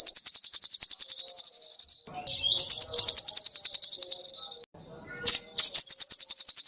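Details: Sogoh ontong songbird singing vigorously for cage birds to copy: high rapid rattling trills of regular pulses, a couple of sharp chirps between phrases, and a short silent break near the end.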